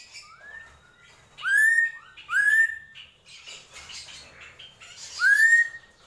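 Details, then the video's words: Drongo, called srigunting krantil, singing gentolang: a soft lower whistle, then three loud upward-slurred whistles with buzzy overtones, separated by quieter scratchy chatter. "SRIGUNTING KRANTIL | GENTOLANG"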